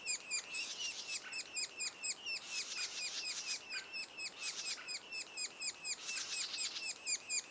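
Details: Sapsucker nest two days before the young first fledge. A steady train of high slurred notes comes roughly twice per second, with bursts of denser, overlapping chatter in between.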